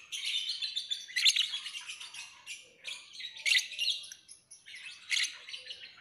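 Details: Lovebird singing a busy stream of high, harsh chirps and squeaky twitters, with louder sharp accents every couple of seconds.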